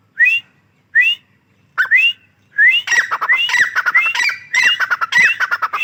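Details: Female grey francolin calling: loud rising whistled notes near two kilohertz, first spaced about a second apart, then breaking into a dense rapid run of overlapping squawky, rising whistles.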